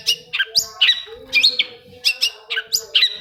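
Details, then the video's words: Long-tailed shrike singing, a lure sound for prompting silent caged shrikes: a lively string of sweet slurred whistles and chirps, rising and dropping quickly, in pairs and short groups, with a faint steady hum behind. "SUARA CENDET INI BISA MERANGSANG CENDET MACET JADI RAJIN BUNYI PAGI SIANG MALAM!!!"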